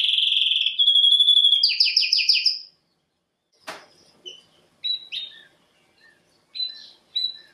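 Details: Canary (Serinus canaria) singing as a training bird: a loud high trill and buzzy rapid tours for under three seconds, then a pause and scattered short sharp notes and whistles.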